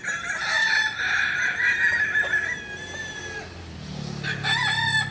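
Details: Crowing kukuak balenggek rooster at a practice contest in Panyakalan, Solok: a long, sustained, slightly wavering crow that fades out, followed by the start of another crow over a low engine-like hum.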